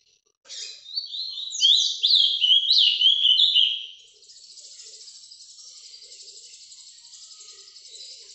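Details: Ultramarine grosbeak, described as 'Paraná vinte vinte', recorded live: a warbled phrase of about three seconds of quick descending whistled notes, followed by a faint steady hiss.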